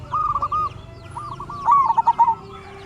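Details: Local zebra dove singing, kept as a lure to set off other zebra doves. A short rolling coo is followed by a quicker phrase of bubbling, stuttered notes, with faint higher chirps in the background.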